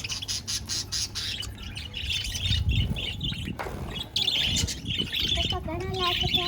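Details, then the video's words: Continuous chatter from pet budgerigars: dense high chirps and tweets, ending in a rising and falling warbled phrase. "budgies chirping"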